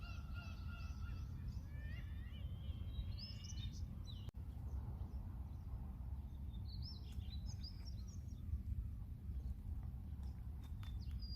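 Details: Sunrise at Ganghwa-do Port with seagulls calling: a nasal, layered cry held then climbing in short rising slurs for roughly four seconds, followed by scattered sharp high-pitched chirps, over steady deep rumbling ambient noise.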